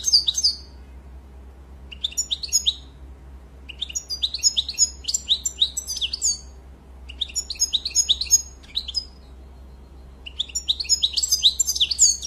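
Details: European goldfinch in full song, repeated bursts of fast, tinkling, twittering notes with liquid trills, separated by short pauses, four or five phrases over twelve seconds, steady low hum behind.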